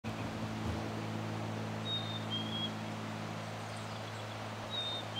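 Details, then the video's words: Male Black-capped Chickadee singing on May 9, 2020 at South Mesa Trail, Eldorado Springs, Colorado: two clear whistled fee-bee songs, a higher note dropping to a lower one, about three seconds apart, over a steady low engine-like hum. "Black Capped Chickadee Male Singing"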